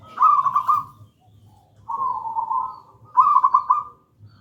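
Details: Zebra dove of local stock singing actively in gedang rojo style, used as master song and lure. Three long, even, vibrating coo notes, the first and last beaded and brighter, the middle smoother, with a faint low hum underneath.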